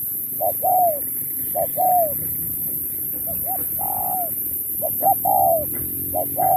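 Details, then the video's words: Singing-contest spotted dove, 2024, style 'Thúc kèm Bo': a run of two-note coos, one short and one longer and falling, with one extended lower coo in the middle. Faint low rumble and high hiss accompany it. "Bài lối Thúc kèm Bo tráo trở nước như chim ngoại"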